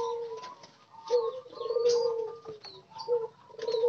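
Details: Wild-caught spotted doves kept together in a group cage give soft, low cooing notes, one drawn-out hoot and short coos, with scattered high chirps and faint rustling behind.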